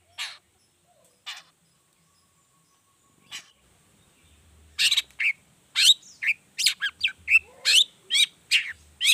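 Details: Long-tailed shrike in full lively 'toet toet' variation song, used as a lure to get other shrikes singing: a few sparse harsh notes, then a fast run of scratchy, buzzy chattering bursts and short rising whistles.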